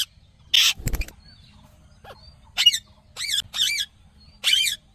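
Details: A pet Rose-ringed (Indian ringneck) Parakeet talks in four short, high, nasal word-like phrases, preceded by a harsh burst and a clatter.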